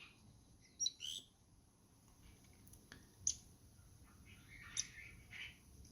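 Downy Woodpecker giving a few sharp, high, abrupt notes spaced irregularly over several seconds, with soft broader chips in between over faint background hiss.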